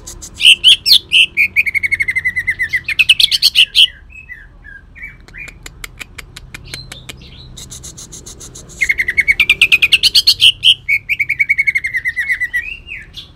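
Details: Kalimantan cucak ijo (leafbird) giving two long bursts of rough, rapid chattering song with long-tailed shrike imitations, each sliding into a level trill, separated by a quiet gap of faint clicks.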